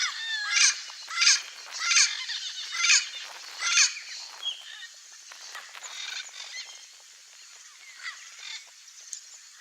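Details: Wild Turquoise-fronted amazon (Amazona aestiva) in its natural habitat in Brazil, giving loud, harsh squawks about every second for five seconds, then softer scattered chatter and squeaks.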